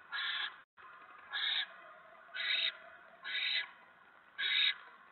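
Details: Barn owl at its nest on 10 November 2017 at 7:50 PM, when a mouse is delivered; five harsh, hissing screeches, each about a third of a second, come roughly once a second over a quiet background.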